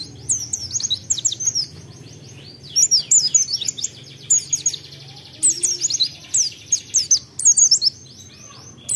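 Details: Pleci (white-eye) song used as a lure to stimulate other birds to sing quickly: bursts of rapid high, thin chirps and twittering notes in phrases of about one to two seconds, separated by short pauses, with a faint low hum underneath.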